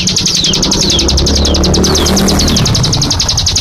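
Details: Hill prinia (burung cigun) in rapid 'nembak' shooting-style song: fast runs of sharp, high descending notes repeated several times a second, with a steady low rumble like passing traffic underneath.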